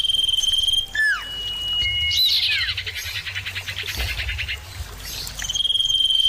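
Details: Common iora birds calling back and forth, used to coax a kept bird into singing: pure whistles and falling slurs, then a fast pulsing trill, with insect hum throughout.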